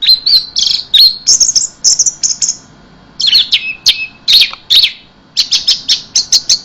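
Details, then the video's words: Orange-headed thrush delivering an intense, frenzied keserr-style song: rapid bursts of high whistled and buzzy notes, short trills and slurred phrases, broken by brief pauses, with a quiet background. "anis merah dewa mabuk teler keserr"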